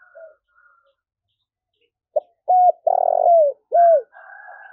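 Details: Spotted dove call meant to make newly caught doves bold and quick to coo: a soft click, a clipped coo, a long purring note sliding downward, then a rounded coo. Another dove murmurs faintly in the background.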